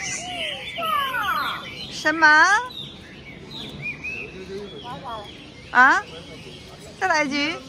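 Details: Talking crested myna in a park trading phrases with a person: scattered whistled chirps followed by short, raspy, speech-like harmonic bursts spaced a few seconds apart, over light background noise.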